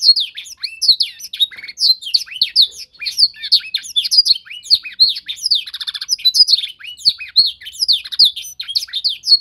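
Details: Young canary during singing training, being tutored to copy a master song: a dense, fast warble of high chirps and sweeping whistled notes with rapid buzzy trills mixed in, continuous for about nine seconds.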